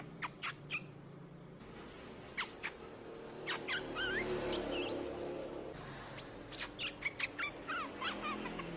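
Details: Streak-eared bulbul song used as a lure call: short sharp notes and rapid wavy warbled phrases in loose bursts, with a steady background hum.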